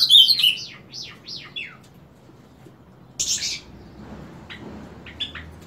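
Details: Morning song of an Ultramarine grosbeak, heard daily from 7 o'clock: a bright warbled burst and a run of falling whistled notes, a pause, then a short buzzy phrase and scattered soft chips.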